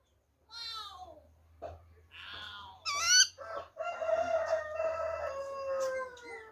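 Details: Black-throated laughingthrush singing in wild-type style, recorded 26 December 2020: a rich run of clear, falling whistled phrases, a short buzzy burst, then a long steady whistled note with overtones held for about two seconds.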